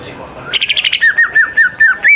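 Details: Greater green leafbird singing as a lure for young birds: a quick burst of buzzy high chirps, then a string of clear whistled notes that dip and rise, evenly spaced, ending on a higher held whistle.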